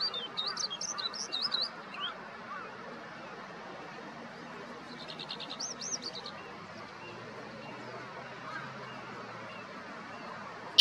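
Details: Eurasian skylark in morning activity on 15 May 2021 beside a vegetable garden east of Yanagishima Sports Park, Japan, recorded with a Nikon COOLPIX P1000; two short bursts of high, looping, warbled trills, then steady background hiss.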